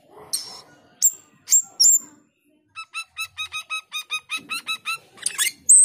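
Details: Black-winged starling male in full song: harsh scratchy bursts and sharp whistles, then a rapid, even string of about fourteen bright clipped notes, closing with a high piercing whistle.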